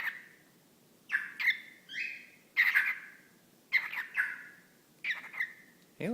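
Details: Male whiteface lutino cockatiel chatting to a sock puppet, phrases like "Hey little bird" and "whatcha doing?"; six harsh, speech-patterned bursts with trailing whistled tails, a human voice starting at the very end.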